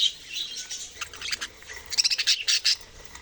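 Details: Budgerigars twittering, soft chatter opening into a quick series of sharp, high chirps in the second half.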